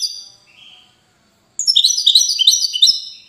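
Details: Widani European goldfinch from the Moroccan city of Safi: a fading high whistled note, a moment of quiet, then an energetic burst of jumbled tinkling, twittering song.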